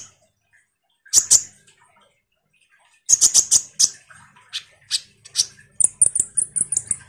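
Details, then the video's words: Common iora singing as a lure song for kolibri ninja birds: paired high chips, a quick run of sharp notes, then a series of thin descending whistled slurs repeated about twice per second. "Semua burung KOLIBRI NINJA PASTI MERESPON suara PANCINGAN KONIN GACOR NGOBRA ini"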